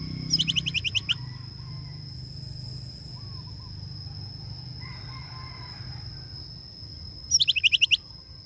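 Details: Greater racket-tailed drongo, known locally as chàng tên or chèo bẻo đuôi cờ, calling the flock; two bursts of rapid repeated metallic notes, about eight each, at start and end, with faint lower whistles between over steady background hum.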